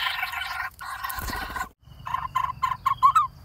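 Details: A lineated barbet nestling, close to fledging in a nest hole in a dead durian tree, calls to its parents while waiting for food: a dense, buzzy burst, then a quick run of hollow, mid-pitched notes rising slightly at the end.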